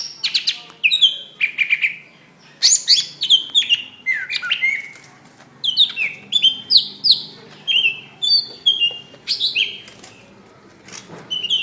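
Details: Fighting call of a greater green leafbird, recorded in May 2016 to train other birds to sing: bursts of sharp, bright, downward-sliding whistles and chips in quick irregular phrases, separated by brief pauses.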